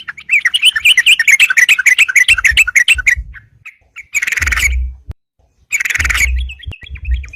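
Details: Yellow-vented bulbul singing vigorously to challenge rivals, sound used as a trapping lure: fast string of sharp chirps for three seconds, then two loud harsh rasping bursts with thumps, and a few thin whistles at the end.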